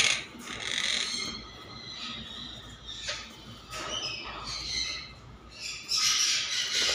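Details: Monk parakeet (Myiopsitta monachus) giving harsh, grating squawks in irregular bursts, some drawn out and some clipped, over about seven seconds with a faint background hiss.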